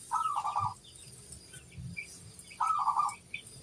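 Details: Local crossbred zebra dove kept as a master songbird, singing vigorously: two short rolling, trilled coos around mid pitch about two and a half seconds apart, with faint high chirps of other small birds and low thumps between.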